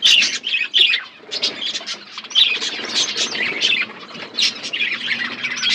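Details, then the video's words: Budgies feeding and chirping: repeated bursts of harsh, warbled chatter and short squawky notes, broken by a couple of brief pauses. "Beautiful budgies chirping sounds birds eating food"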